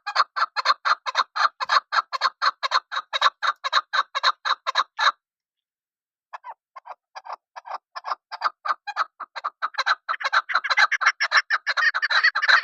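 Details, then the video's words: Chukar partridge calling: a long rhythmic train of rapid, hoarse chuk notes, then a pause. A renewed, thinner series follows, building into a dense, excited burst of chattering notes. "chakor ki khobsort awaz.. sound of keklik"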